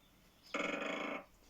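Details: Great Spotted Woodpecker drumming from a played-back recording: one short, fast series of rapid taps lasting under a second and fading quickly at the end.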